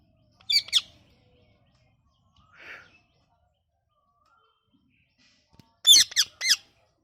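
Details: Parrot calling in short, harsh, high bursts: a pair of squawks at the start, a faint single note in the middle, then a loud run of three squawks near the end, with silence between.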